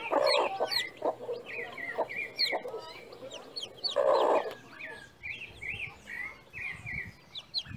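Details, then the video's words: Chickens on a farm, with deep rounded clucks in short bursts, the loudest near the start and around four seconds in, under a scatter of thin, high descending peeps. "som da galinha"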